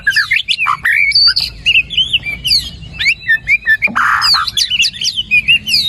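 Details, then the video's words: White-rumped shama in full, varied song, used to prompt a silent bird to start singing: busy mix of clear whistles, upward slurs and harsh buzzy notes, almost continuous, with one rasping burst midway. "PANCINGAN MURAI BATU GACOR ! BONGKAR ISIAN ! NAIKAN MURAI BATU MALAS BUNYI AGAR CEPAT GACOR !"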